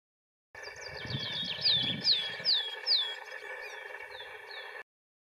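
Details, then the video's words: A willow tit (Poecile montanus) gives a run of about seven clear, downslurred whistles, roughly two each second, over a steady background hum and some low rumble. "Willow tit"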